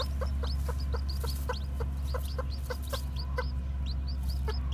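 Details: Newly hatched white, black-tailed Japanese bantam chicks walking about, giving a steady run of high, downward-sliding peeps, several each second, over a loud, constant low hum.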